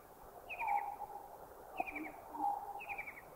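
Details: Three evenly spaced, high, descending trills from a white-throated kingfisher in Thailand, repeating roughly every 1.2 seconds. A lower, steady whistled note from another bird accompanies each trill.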